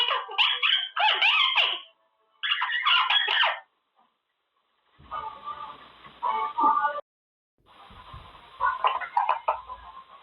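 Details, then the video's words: A pet Quaker (monk) parakeet practises words in its cage, talking in quick, raspy, speech-like phrases: three bursts at first, then softer chattering phrases after a pause, over a faint background hiss. "Talking parrot"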